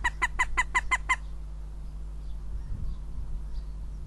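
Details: Northern goshawk at its nest in Riga, 9 April 2017: a fast burst of seven loud, harsh, cackling notes over about one second, then only low background hum and faint distant sounds.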